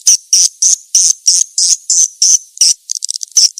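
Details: Calling sound of edible-nest swiftlet for attracting swiftlets, made of sharp, high, buzzy chirps given roughly three per second, ending in a quicker broken flutter of short notes.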